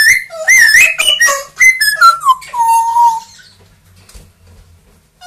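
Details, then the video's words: Pet parrots, a two-year-old grey parrot and one-year-old Amazon, whistling indoors: a lively melody of pure, bending notes descending in steps, finishing on a long level whistle, followed by quiet room noise. "quelques mot et bruitage des perroquets"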